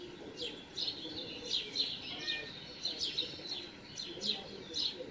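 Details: Great spotted woodpecker young beg as an adult feeds them in a home garden on 13 June 2019: steady, high, shrill twittering broken by sharper chirps every half second or so, over a soft background murmur.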